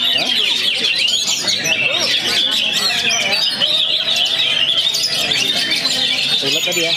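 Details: Post-moult young Oriental magpie-robin from Perbaungan in steady song: nonstop high chattering and whistled notes woven into fast varied phrases, with low human voices faintly heard beneath.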